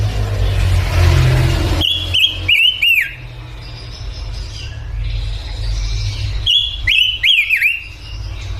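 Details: Male pancawarna bird in lively song: two clusters of quick, bright zigzag whistles, each note swooping up then down, separated by a quieter pause, with steady low engine-like rumble throughout.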